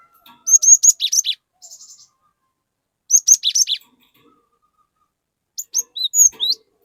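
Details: A cinereous tit sings as a lure for an untrained companion bird: three phrases of quick, piercing chirps, the first two alike and three seconds apart, the last softer and more scattered.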